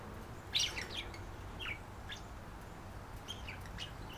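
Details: Two pet budgerigars, a visiting female and a resident male, call to each other after being put up for the night while flirting; a few short, sharp chirps, one louder burst early, then scattered softer tweets over a quiet room hiss.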